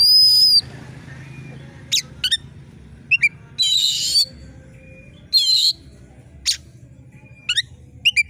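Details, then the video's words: Oriental magpie-robin (kacer) in competition form, screeching sharply to stir other competition birds: long high whistles alternate with harsh buzzy rasps and quick upslurred notes, with short gaps between phrases. "suara KACER GACOR JERIT TAJAM‼️cocok mendongkrak emosi kacer di gantangan"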